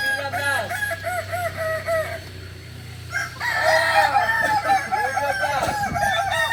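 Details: Kukuak Balenggek chickens, native to Solok, West Sumatra, at crowing practice: two long chains of fast repeated bouncing notes, the second louder, with a steady low drone beneath.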